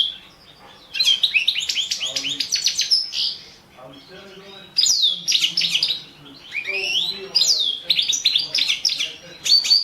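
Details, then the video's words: Caged European goldfinch of the Balkan subspecies singing in a competition recording: bright twittering, tinkling phrases with rising and falling whistled notes, in bursts separated by brief pauses. "World championship in Goldfinch Song 2017"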